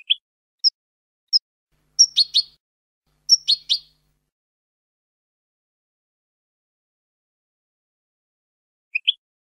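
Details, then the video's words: European goldfinch singing in the clean 'limpio' style: a few short, high chirps, then two quick clusters of sharp twittering notes, a long pause and a final pair of chirps. "NUEVO CD JILGUERO LIMPIO 2022/2023 (EL CLÁSICO)"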